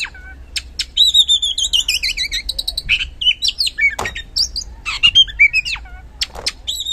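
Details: Loud 'gacor ngeplong' oriental magpie-robin song played to provoke lazy kacer into answering: a steady whistled trill with wavering notes, then a varied mix of sharp clicks, rising slurs and bright phrases.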